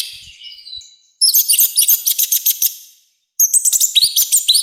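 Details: Loud, harsh orange-headed thrush song used to train and provoke birds: a rapid string of sharp, high, repeated notes, a short silence, then another fast burst of bright chirping phrases.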